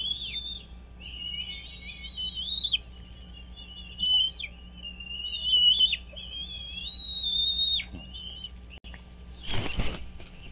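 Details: American bald eagles at their nest on Dale Hollow Lake, a reservoir on the Kentucky-Tennessee state line, nest camera, 17 April 2023, 07:24; long runs of high, thin, whistled chattering notes, with a brief rushing burst near the end over a steady low hum.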